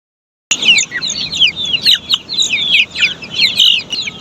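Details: Australorp chicks on a poultry farm, a crowd of them peeping together in dense, high, short chirps that overlap without pause after a half-second of silence.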